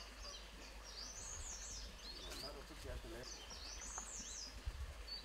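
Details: Grey-headed canary-flycatcher at Motidhar giving two bouts of thin, very high, wavering whistled notes that rise and fall, over a steady low rumble of background noise.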